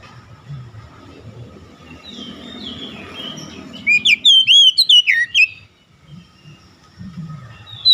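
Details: Oriental magpie-robin, a stressed bird given therapy: after soft murmuring and low background noise, a quick run of bright, looping whistles lasting about two seconds, then quiet low sounds.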